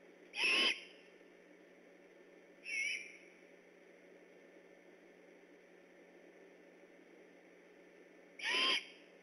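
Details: Great horned owl neighbours of the Decorah eagles, vocal and on alert on the night of 3 October 2015: three short raspy screeches, the second softer, spaced two to six seconds apart over steady background hiss.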